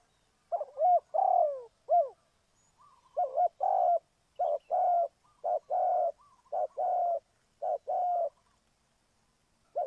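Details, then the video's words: Spotted dove cooing as a lure for bird trapping. Hooked double notes and longer low coos repeat in a somewhat irregular series, about ten phrases, on a quiet background. "Cu gáy Ninh Thuận,นกเขาใหญ่สายต่อดิน"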